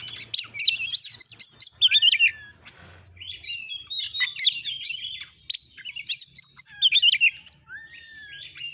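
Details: Vigorous song of an Oriental magpie-robin (kacer): loud rapid sequences of high, sharply modulated whistled notes, several per second, broken by short pauses, with some softer slurred phrases in between.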